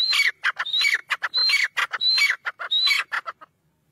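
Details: A black francolin, or kala teetar, calls loudly at close range. There are about five harsh phrases, each a high whistled note sliding into scratchy rasps. The calling ends abruptly and is followed by silence.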